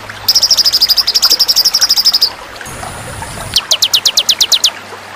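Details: Tutor recording for competition white-rumped shama among fighter birds: a long, fast rattling trill of high, even notes, a brief thin whistle, then a string of quick downward-sweeping chips repeated about eight times.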